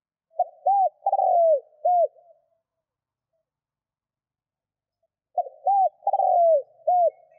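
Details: Cooing of a spotted dove, meant to stimulate doves to call fast; two matching low, mellow phrases, each a clipped note, a hooped coo, a long descending rolled coo and a closing hoop, separated by about three seconds of silence.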